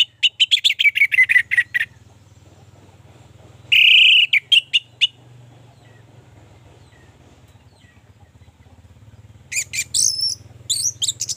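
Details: Orange-headed thrush song, used to push others of its kind into singing: quick chirping strings and one loud drawn-out whistle, separated by long quiet stretches with a steady low hum in the background.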